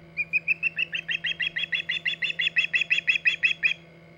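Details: At its Hog Island nest on 14 August 2019, an osprey utters a rapid, even series of bright chirped whistles, close to three a second, for about four seconds against a faint mechanical hum.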